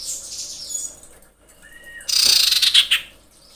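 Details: Female common iora calling for males; thin high notes open, a short clear whistle follows, then a loud, harsh, rapidly pulsed buzzy burst lasting nearly a second.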